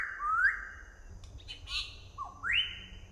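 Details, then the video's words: Southern variable pitohui, a poisonous songbird with a sweet voice, gives a clear upward-sliding whistle. A short dipping note follows, then a second rising whistle that levels off. Soft twittering from other birds sits between them. "Pitohui Selatan/Cucak Rotan, Si Burung Beracun yang Bersuara Merdu"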